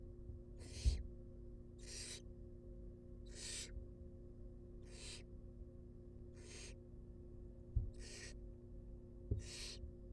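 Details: Seven rhythmic hissing screeches, about one every one and a half seconds, from wild barn owl chicks being fed in a monitored nest box, with a few soft knocks and a low hum.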